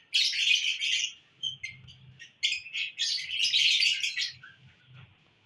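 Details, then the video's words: Lovebirds in a cheerful mood on June 1, 2022: shrill chirp bursts and scratchy twitters in two main clusters, fading to a thin trailing squeak, with soft low rustles underneath. "love birds in happy mood"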